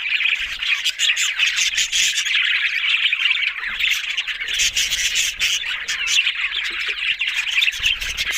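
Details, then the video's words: Several budgerigars, Australian parrots, chattering together in a dense, continuous stream of high scratchy squawks and warbled chirps, with brief soft low thumps here and there. "Beautiful Talking Budgies Australian Parrot Sounds"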